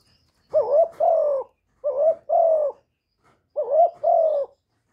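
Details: Spotted dove, caged decoy, calling to prompt newly kept doves to sing; three deep, husky coo pairs, each a short upswept note then a sustained slightly falling tone, spaced about a second apart; silent background.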